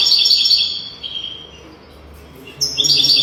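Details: European goldfinch song for teaching young birds: a loud, high, tinkling twitter fades into a soft whistled note, then after a brief lull another bright jangling burst begins.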